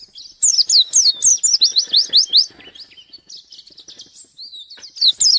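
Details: White-eye (pleci) singing in lively gacor style while seeking a rival: rapid bursts of high, sharp, downward-slurred chirps, a quieter twittering passage, then a loud burst again at the end.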